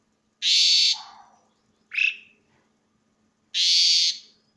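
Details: Asian pied starling singing loudly: two long, harsh, hissing screeches with a brief buzzy note between them.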